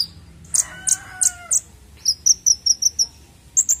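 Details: Konin bird chirping as a lure for young untrained birds: four loud high chips about every third of a second, then a quick string of bright, slightly downslurred notes and a final pair.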